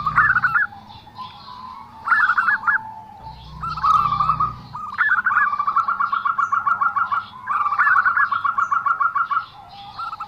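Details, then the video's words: Zebra dove with a unique voice gives rapid beaded coo trills in long runs, some phrases led by a higher fluttering note, with an occasional low hum. "perkutut suara aneh"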